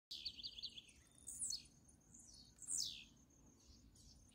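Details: Free-living blue-black grassquit contesting with a caged bird: faint, high buzzy notes with a short opening trill, then two loud downslurred buzzy sweeps about 1.3 seconds apart over steady low background noise.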